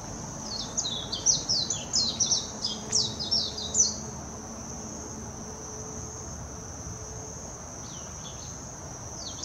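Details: Warbling white-eye singing at Hashimoto, Wakayama, Japan, on 26 June 2021, a fast, high, tumbling twitter of thin descending notes for about three seconds, over a steady high insect-like hiss.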